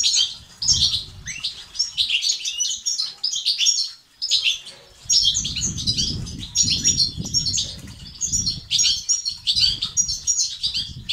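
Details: Batbata and stastat singing of the European goldfinch, for stirring males to sing: sustained cascades of bright twittering, a brief lull around the fourth second, then rapid chatter resumes with low rumbling beneath.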